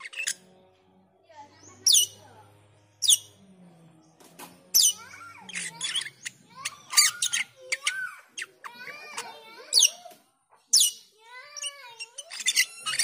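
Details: Black-winged myna call used as a lure to train other songbirds, varied whistled notes, squawks and buzzy bursts at irregular intervals, with some mimic-like warbled phrases and low background hum.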